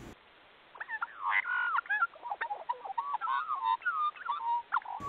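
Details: Australian magpie (Gymnorhina tibicen) singing in Sydney, Australia, caught on a doorbell camera: a rich, closely packed run of fluty, warbling notes sliding up and down for about four seconds after a brief quiet start.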